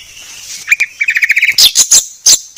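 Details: White-rumped shama (murai batu) song for masteran training, described as the clearest: a short run of quick high chirps, then loud sharp buzzy whistled notes in rapid succession.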